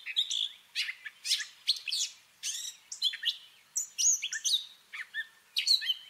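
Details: Continuous mimicking song from a Gray catbird: fast chain of chirps, twangy whistles and scratchy notes, every phrase changing, about two to three per second.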